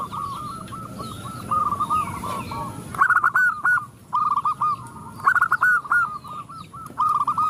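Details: Several zebra doves answering a female calling to males: continuous overlapping cooing, stuttered loud bursts and trailing held coos from different birds, with faint high chirps of small birds.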